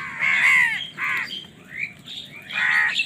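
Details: Crows fighting for food give harsh, nasal caws, a long drawn call followed by shorter hoarse notes and fainter overlapping calls from other birds.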